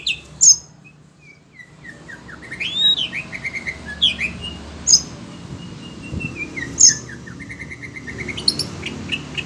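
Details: Caged Oriental magpie-robin (kacer), worked up by other birds' voices, mixes sharp high chips, scattered whistled phrases and a descending run of short notes, with pauses between bursts.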